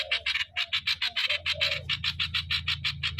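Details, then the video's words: Streak-eared bulbul kept as a decoy, pouring out fast rasping notes about three per second over a low droning hum. "เสียซอ เสียงนกต่อ นกปรอทสวน"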